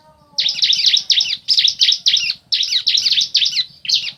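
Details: Bar-winged prinia, male and female, calling in reply: dense, loud, continuous chains of buzzy, scratchy chirps in quick groups of two or three, with a faint low whistle at the start.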